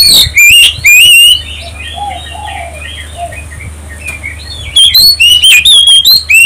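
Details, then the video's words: Oriental magpie-robin lure song meant to get other birds singing: loud, sharp whistled notes at the start, a quieter stretch of soft warbling and low whistles, then another rapid burst of loud whistles. "pancingan kacer ampuh tercepat nyaut langsung gacor"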